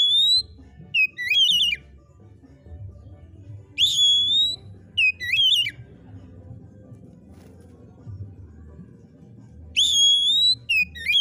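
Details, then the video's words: Lively white-rumped shama song, clear whistled phrases repeated in bursts about every three seconds, each a sustained pure whistle followed by sharp, twisting rapid notes, with quiet pauses and low room hum between. "SUARA BURUNG KACER"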